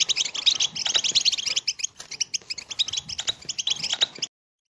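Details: Energetic European goldfinch song meant to encourage mating and a courtship dance: fast tinkling twitters and sharp chirping bursts, loud at first, briefly pausing, then resuming before ending abruptly in silence.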